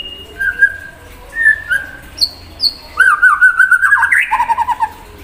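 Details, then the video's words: White-rumped shama singing to stir an untrained shama: spaced low and high whistles, then a fast trilling, wavering run of notes that rises and tumbles down, ending in quick chattering pulses. "Murai Batu Gacor Memancing Emosi Murai Bahan"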